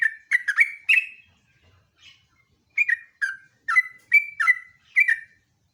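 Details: Sooty-headed bulbul song for luring and master training: a quick cluster of four whistled notes, a brief lull with one soft note, then a steady series of rising and falling whistled phrases.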